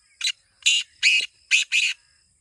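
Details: Kala teetar, the black francolin, calling: a clipped first note followed by four longer, scratchy, harsh bursts grouped in a fast rhythmic phrase lasting two seconds, background otherwise silent.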